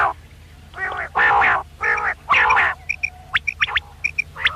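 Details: Quail heard at night in a hunting recording: a run of loud, harsh, nasal bursts gives way to quick bright pips, paired and single, scattered over the last two seconds.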